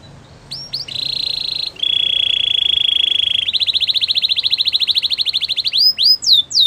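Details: Belgian canary singing: a few short rising notes, then a long buzzy trill, a lower steady buzzing roll, and a fast pulsed trill that speeds up before ending in upswept chirps.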